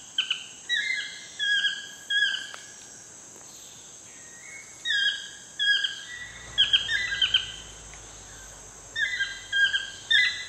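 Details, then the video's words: Sunset chorus of wild toucans in Costa Rica: repeated ringing yelps with falling slides, in clustered bursts separated by brief gaps, over a continuous insect drone and a low rumble in the second half. "TOUCAN SUNSET CEREMONY"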